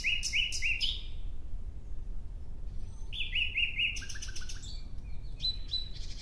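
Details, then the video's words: Nightingale singing outdoors: quick bursts of three or four sharp rising notes, a pause, then a louder run of repeated notes and downward-slurred whistles, ending in clear high notes, over a steady low rumble. "Relaxing clear sound of Nightingale"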